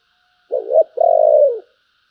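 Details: Spotted dove calling in the 'thổ' voice style, praised as 'Bầu': one mellow low coo phrase, a short wavering note followed after a brief gap by a longer, smooth, slightly falling hoot.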